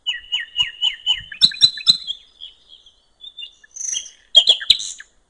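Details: Common nightingale singing beside a river in open nature: a run of six repeated chirping notes, three sharp clicks, soft scattered notes, then a brief lively flourish.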